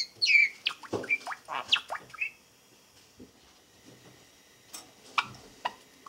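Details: Young Java sparrow about four months old, a pet male standing on one leg on a thick perch, practising song: a burst of squeaky chirps and clicking notes for two seconds, then near silence with a few isolated clicks.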